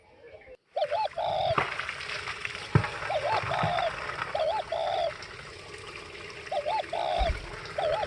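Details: Spotted dove cooing behind heavy broadband hiss and rumble: soft phrases of short then longer hollow coos recur every second or two, partly masked, with a few knocks and thumps.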